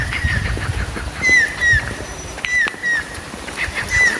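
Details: Stork-billed Kingfisher, a kingfisher found in Thailand, gives clear whistled notes that slide downward, in pairs and singles about every second, over a faint low rumble.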